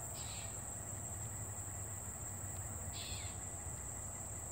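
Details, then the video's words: In a sunny summer meadow a bird gives two brief buzzy descending chirps about three seconds apart, set against a constant shrill insect drone and soft low background noise. "A sunny summer meadow has a bird calling"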